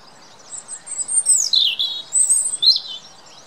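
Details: European robin singing, a wild songbird in the UK: high, thin warbling phrases that slide and swoop, with rapid trills and a falling glide in the middle, delivered in short bursts against a quiet background.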